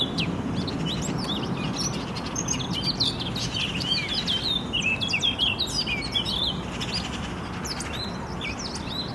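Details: Eurasian blackcaps singing in spring 2018 in Poznań, Poland: a fast, busy warble of chirps and twittering notes running almost without pause, over a steady low rumble of background noise.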